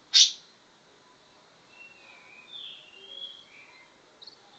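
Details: A greater green leafbird (Chloropsis sonnerati) mimicking a grey-cheeked bulbul's song: one sharp, loud chip, then soft wavering whistles over two seconds and a thin high note.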